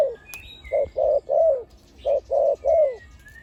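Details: Decoy spotted dove for ground, branch and pen trapping, delivering deep 'khu ang' coos. One short note is followed by two fuller ones, the last curving downward. The phrase then repeats, with faint distant whistles behind.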